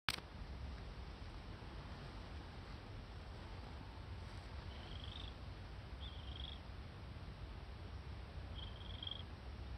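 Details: Red-crowned crane chick at the Akan International Crane Center, 31 August 2020: three short, high, thin peeps spaced unevenly over about four seconds, faint above a steady low rumble of background noise.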